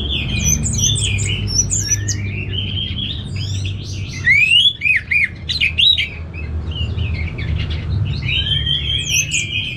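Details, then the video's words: Kept orange-headed thrush from northern Bali pours out a fast varied song of twittering notes, sharp squeaks and swooping whistles, loudest midway, with steady low-pitched background noise. "ANIS MERAH Langsung Gacor Nyaut Joss"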